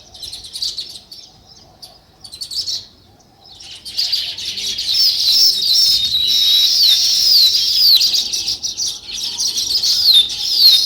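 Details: Sparrow chirping outdoors: a few scattered high notes, a pause, then a continuous busy chatter of overlapping bright chirps that builds toward the end.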